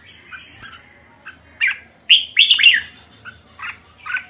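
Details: Red-whiskered bulbul producing soft notes followed by a loud cluster of rich, slurred whistles and chirps, then a few spaced chirps.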